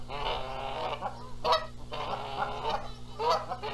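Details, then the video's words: Canada geese quarrelling over which one gets to sit on the eggs, at a Montana nest in mid-April 2022; dense, overlapping nasal honking runs almost continuously, with stronger peaks near the middle and the end. ""MY eggs!" "NO! MY eggs!" Canada Goose"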